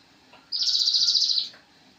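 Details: Javan cochoa master song for songbird training: one short, high, shimmering buzzy trill of under a second, with rapid even pulses.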